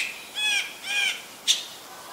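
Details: Green-billed malkoha giving two harsh, nasal squawks with rich harmonics about half a second apart, then a brief sharp click-like note, in a quiet setting.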